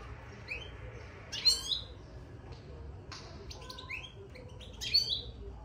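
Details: European goldfinch in a cage, twittering since it was put inside: quick, bright, liquid chirps and buzzy upswept notes in two lively bursts, with scattered short tweets between, over a soft low hum.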